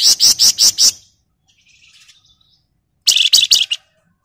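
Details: Flamboyan bird in lively full song, a 'ngebren rapat nyerecet' style used as a lure and tutor: five loud, harsh, buzzy bursts in quick succession, a faint twittering pause, then another rapid run of scratchy notes.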